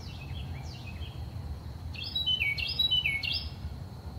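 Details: In early morning, a Carolina wren sings three loud, rolling phrases of down-slurred whistles in quick succession, after fainter chirps, over a steady low rumble.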